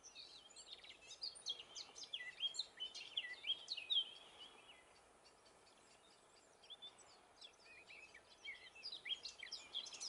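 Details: Eurasian blackcap song from northern Gran Canaria, May 2020: a fast jumble of sharp, chattering notes for about four seconds, a quiet gap, then another warbling burst at the end over steady background hiss.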